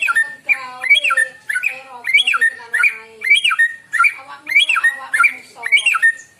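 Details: A white-rumped shama sings in the morning, its song used to lure birds: rich, looping whistled phrases sweeping up and down, repeated steadily about twice every second, with a faint lower tonal murmur beneath.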